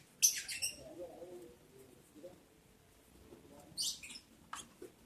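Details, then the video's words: Captive lovebirds on day 11 of breeding in July 2022, during mating: two loud harsh high chattering bursts about three seconds apart, with softer low rustling and a brief squeak between. "sound love birds Mating"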